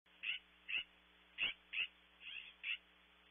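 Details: California scrub jay outside a nest cavity at Audubon Starr Ranch, California, giving six short, harsh, raspy notes in about three seconds, roughly two each second, over a faint steady hum.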